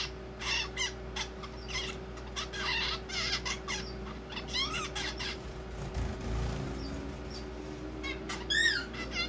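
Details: Zebra finch nestling trying out its first song, awkward and talk-like: choppy buzzy syllables and clicks strung in irregular bursts, a brief low thump midway, then a final rasping note, with a continuous background hum.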